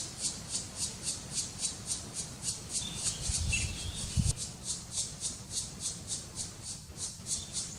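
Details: Nestling black woodpeckers begging while being fed, Kras-Karst, Slovenia, May 2018: rhythmic high rasping notes repeated several times a second, with a few low knocks and thumps midway.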